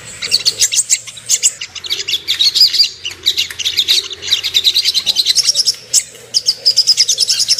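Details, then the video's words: Ruby-cheeked sunbird song used as a lure for aggression and breeding arousal: long runs of quick, high, metallic twitters and chips, rising in intensity, with a short break near the end. "PANCINGAN AMPUH BURUNG SOGOK ONTONG CEPAR EMOSI DAN NAIK BIRAHI"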